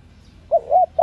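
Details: Female spotted dove calling to stimulate males: a short soft note, a wavering second note, then the start of a longer coo cut off at the end.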